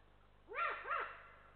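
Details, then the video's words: Adult eagle-owl warning at its Estonian nest as a lynx walks past: two rasping, arched barks about a third of a second apart, then a fading tail, against a steady low hum. "Warning calls from adult Eagle Owl! A Lynx walks by"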